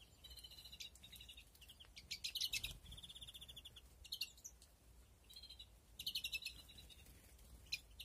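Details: European greenfinches breeding in an aviary in 2021 give scattered bursts of fast, buzzy trilled notes and sharp chirps, several short phrases over eight seconds, fairly quiet against a faint hiss.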